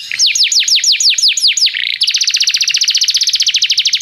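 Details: Tutor song of a canary for song training: eight loud downward-sweeping whistles for nearly two seconds, then a rapid, regular rolling trill through to the end.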